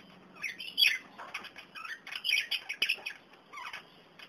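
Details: Several kakarikis (New Zealand parakeets), young and adult, at dandelions give quick, bright chattering chirps in irregular bursts, with soft rustling and wing flutters between calls.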